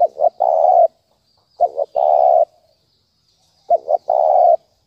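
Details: Spotted dove in 'thúc bổi' style, a call played to stir decoys when trapping. Three low cooing phrases each open with two quick hiccuping notes and end in a held, even coo, separated by pauses of about a second.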